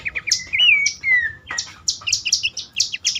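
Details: Bush warbler calling, used to stimulate caged birds to sing at dawn or at night; a few quick chirps, a clear wavering whistle falling in pitch, then a run of sharp high chips.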